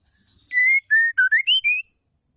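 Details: Female white-rumped shama voice used to stir caged males into singing: a clear whistled phrase of six pure notes, level then dipping and rising, about 1.3 seconds long.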